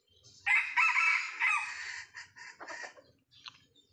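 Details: Red junglefowl, a young Sumatran bird, crowing in response to a decoy during traditional trapping: one loud, harsh crow of about one and a half seconds, breaking into a few short, choppy notes at the end over a faint low rumble.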